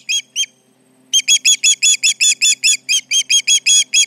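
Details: Alarmed osprey at the Charlo nest, July 29, 2019, late morning, with intruders around: two piercing whistled notes, a pause of about a second, then a fast unbroken string of shrill chirps.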